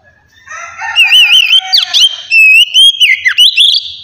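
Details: Relaxed ngeplong singing of an Oriental magpie-robin, used to stimulate young birds to start singing: one unbroken run of clear wavering whistles mixed with down-swept notes and quick trilled accents, rising in volume after the first half second.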